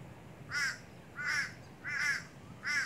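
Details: A crow at coastal Wellington Point Reserve near King Island, east of Brisbane, Queensland, gives four harsh, nasal caws evenly spaced about every 0.7 seconds, over quiet background hiss.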